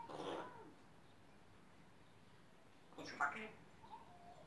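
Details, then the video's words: A Grey parrot named Coco, entertaining people in a farmyard, chatters nonsense in two short, speech-like bursts about three seconds apart. The second burst has a sharp squeaky note, over a quiet background. "Graupapagei Coco erzählt Quatsch"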